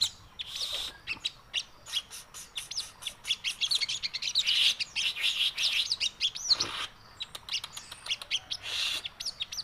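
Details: Sogon crewet, the Javan cochoa, delivering a busy, high-pitched chattering song: quick sweeping whistles and sharp chirps in uneven bursts, with a short break midway before the rapid twittering resumes.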